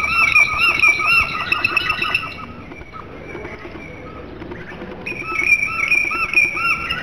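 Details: Flawta flute-style song of a domestic canary: rich, ringing whistled phrases with bright overtones, a quieter pause in the middle, then the full clear song resumes.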